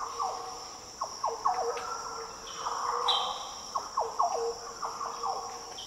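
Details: Liquid, low warbled phrases from Green Orioles in tropical Daintree rainforest, Australia, repeated in bursts and possibly countersung, set against a continuous shrill insect background.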